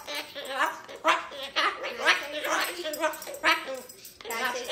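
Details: A pet umbrella cockatoo talks indoors in a harsh, speech-like voice, giving a burst of word-like syllables roughly every second, with a person's voice mixed in. The bird reportedly talks about the airport all the time.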